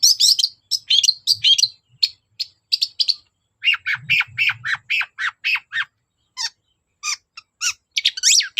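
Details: Long-tailed shrike singing energetically, used as a lure to get reluctant shrikes to sing: rapid bursts of sharp, scratchy chirps, then a run of lower buzzy notes and wide whistled sweeps, with a faint low rumble.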